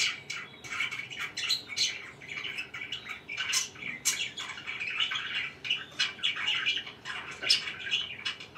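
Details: Budgerigars kept as pets indoors, several together: bursts of sharp chirps and scratchy chattering warbles, with brief clicks and squeaks scattered among the flowing calls.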